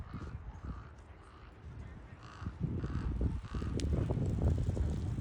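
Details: Ravens in the Ocean Beach Dunes, San Francisco, giving faint hoarse calls repeated roughly twice a second, half buried under heavy low wind rumble and buffeting.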